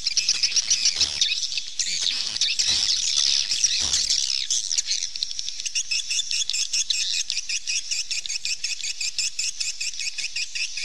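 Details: Swallows twittering: a continuous, busy, high chatter of quick chirps and buzzy trills from several overlapping birds, steady throughout, with a few soft low thumps early on.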